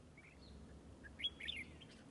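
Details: Red-whiskered bulbul at a fighting-decoy trap: one short, bright warbled phrase of quick up-and-down notes near the middle, over a low steady background hum.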